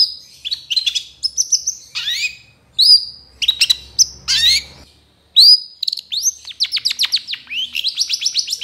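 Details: Long-tailed shrike song for training other birds: clear rising whistles and sharp slurred notes, then a closing series of quick repeated downward chirps in a steady rhythm.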